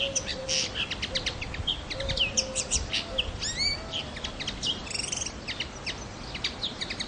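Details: Common linnet song: a fast, varied twittering of short chirps, buzzy notes and rising whistled slurs, nearly continuous for seven seconds, over a faint low steady tone and soft background noise.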